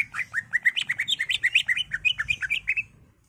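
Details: Caged greater green leafbird singing in an agitated mood, meant to trigger another bird's song: a dense, rapid string of varied chirping whistles, rising and falling, running continuously for about three seconds.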